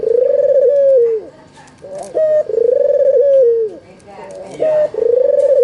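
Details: Albino white Barbary dove with red eyes, used to coax quiet doves into calling: drawn-out rolling coos that droop at the close, each led by a short high note, with faint background clatter.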